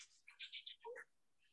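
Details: Gray Catbird in June, heard on a trail with airplane, mower and wind noise about; a quick, faint, brief jumbled run of squeaky, scratchy notes jumping between high and middle pitches, then a short mewing phrase.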